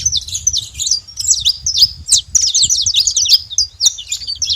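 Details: A wild flock of saffron finches chattering, quick high chirps and short downslurred notes tumbling together in uneven bursts, with a low background murmur.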